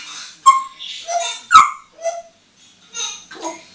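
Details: An eight-year-old hand-trained female African grey parrot, kept as a pet and moulting a bit, plays on a bathroom towel rail. Short varied squawks and harmonic notes come with a sharp click and rough, bark-like bursts separated by brief silences.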